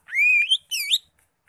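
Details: Greater green leafbird singing in the continuous chattering style called ngekek. Two loud, clear whistled phrases: a long sustained note that rises at its end, then a shorter rising-and-falling whistle, with rich overtones and quiet room surroundings.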